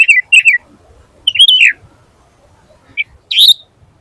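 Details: Sooty-headed bulbul in energetic song used as a master recording: short separated bursts of warbled whistles, a slurred falling phrase, then a single sharp note and a final bright rising burst over quiet background.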